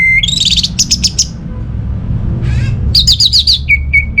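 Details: An orange-headed thrush delivers high, rapid trilled notes, a short buzzy rasp, then a fast run of bright whistles ending in flat piping tones, against a low background rumble.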